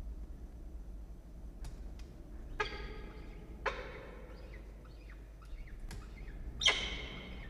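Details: Peregrine falcon at a nest box atop a water tower at Charles Sturt University, Orange, NSW, Australia, on 16 October 2021 at 14:58, gives three harsh, rasping calls a second or more apart, with sharp clicks, faint small-bird chirps and a steady low hum.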